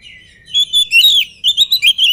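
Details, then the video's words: An agile, unfed oriental magpie-robin gives a short, loud phrase of sliding whistles, then a quick run of repeated bright notes, about six in a second, clean and ringing. "KACER GIRAS/GESIT BELUM MAKAN VOUR GACOR"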